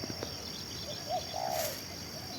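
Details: Spotted dove kept as a decoy bird, said to coo for two hours: a brief low note, then a longer burred rolling coo, with constant shrill cricket-like buzzing behind.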